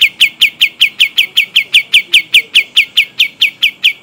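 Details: Pied triller originating from Kalimantan, rolling song made of rapid, sharply falling whistled chips, around five per second, regular and loud against a low faint background hiss.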